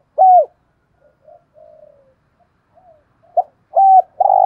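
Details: Spotted dove kept as a decoy, cooing in the 'thổ' voice style to stir wild doves to call. A strong low coo is followed by soft faint murmurs, then a short note and two more loud hollow coos in quick succession.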